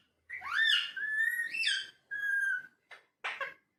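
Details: Talking parrot in a small room: a long whistled phrase that rises, holds steady and steps down, followed by two short harsh bursts.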